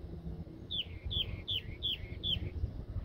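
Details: In Palmer Park, a wren of uncertain species sings five quick, high, downslurred chirps, roughly three per second, over a steady low rumble of wind or background noise.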